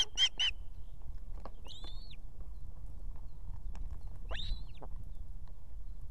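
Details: Female osprey with two chicks at a nest in Estonia, calling her mate to bring food in the evening. Two quick sharp chirps open, followed by two separate slurred, arching whistles, with steady low background noise.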